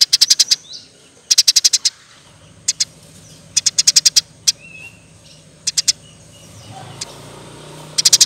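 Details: Eurasian tree sparrow singing in a tight, rapid 'nembak' style recorded as tutor material for songbirds: short clusters of four to six high, clipped chirps separated by pauses, with faint low background hum.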